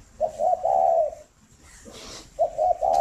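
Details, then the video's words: Spotted dove at a breeding farm in Ba Vì, Hanoi, Vietnam, morning: a mellow coo phrase of short notes and a long coo, a brief rustle, then the next phrase beginning. "tiếng chim cu đẻ"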